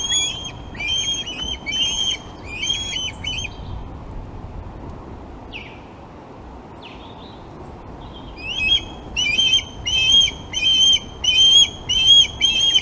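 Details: Osprey calling at the Glaslyn nest on 26 August, when fish were delivered to two young: runs of rapid, shrill whistled chirps, a lull with a couple of soft notes, then another insistent run.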